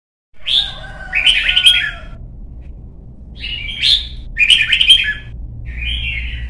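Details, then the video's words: Red-whiskered bulbul song from Vietnam, part of voice training for young birds and coaxing competition singing: bright, warbled phrases around mid-high pitch, two bursts of chattering notes separated by a short pause, then a softer closing phrase; low background hum. "CHÀO MÀO | Luyện giọng má trắng chim non - Thúc chim hót hay hót đấu"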